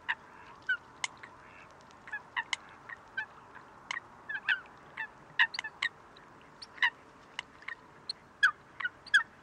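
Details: Eurasian coots calling in Greece, February 2023: many scattered nasal honks and sharp notes from several birds, denser and louder near the end.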